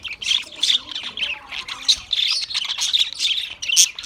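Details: Australian parrots chirping in a steady, noisy stream of high squawky notes and short tweets, layered and overlapping throughout.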